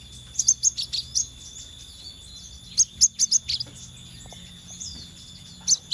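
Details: Scarlet minivet in a lure recording: clusters of sharp, high whistled notes. Quick bursts come near the start and again around the middle, with a final pair at the end. A steady electronic hum sits underneath.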